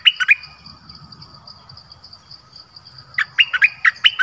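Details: Decoy Dok Taeng bird in the forest, 13 January 2021, calling a mate. Brief bright chirps open the recording, then a pause with a low rumble, then a rapid run of five or six clipped chirps. A steady high drone continues underneath.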